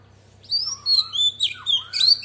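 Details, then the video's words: Singing female Oriental magpie-robin with a wild voice, used to stimulate males: a short run of long, smooth whistled notes that rise and fall, ending in a brighter chirp, against a faint constant hum. "Choè than mái hót giọng rừng kích trống căng đét"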